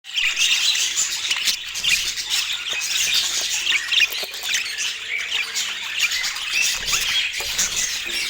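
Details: Pet budgerigars kept at home sing together in dense, continuous, high chattering warbles full of quick squeaks and twittering notes, with no break.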